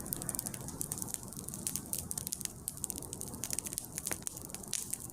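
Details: Crackling and crushing noises with sharp high clicks over a steady low rumble, with no animal voice heard.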